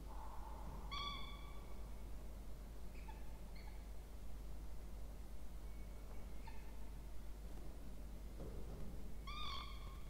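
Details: Two Peregrine falcon chicks at a nest box in a water tower at a university in Orange, Australia, October 2024, during feeding. Short, sharp, harmonic calls come sparsely over ten seconds, some faint, with low background rumble.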